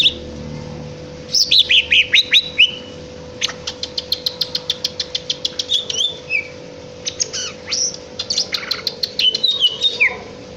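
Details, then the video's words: Greater green leafbird in melodious song, opening with falling whistles, then a long even series of rapid dry clicking notes, followed by more twisting whistled phrases and chirps, over a faint steady hum. "KICAU MERDU CUCAK IJO"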